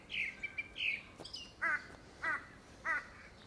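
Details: A grey-backed thrush gives its courtship song, likely for a second breeding, opening with whistled rolling phrases, followed by three lower harsh, harmonic calls spaced about half a second apart.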